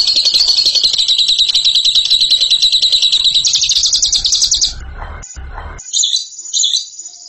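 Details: Bird singing in the ngekek style, praised as a champion: a long, fast, shrill chattering trill held for about five seconds, then broken by short scratchy bursts and a few brief high notes before it fades.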